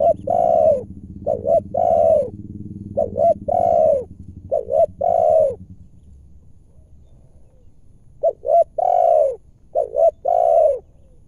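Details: Wild spotted dove lured in its home territory during trapping, calling with a strong, deep, clear voice. Repeated mellow phrases of short and long coos, four in a row, a quiet gap, then two more, over a faint low rumble.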